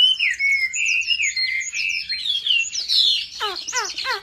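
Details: Chinese hwamei singing competitively during training at home: rich run of whistled, slurred phrases in a tight fast sequence, ending in several sharp downward-sweeping notes.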